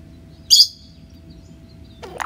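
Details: Pet cowbird during flight gives a single loud, very high, brief squeaky note, followed by quiet background and a short faint sound at the end.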